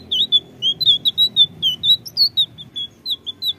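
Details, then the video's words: Blue flycatcher song: a quick run of about twenty sweet, high whistled notes, some slurred up or down, over a faint low rumble. "Tledekan biru Ampuh! bahanan langsung nyaut!!"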